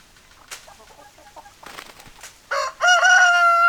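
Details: Soft hen clucks and a few clicks lead into a loud rooster crow: a rough opening syllable, then a long, steady, ringing note that is still going when the recording ends.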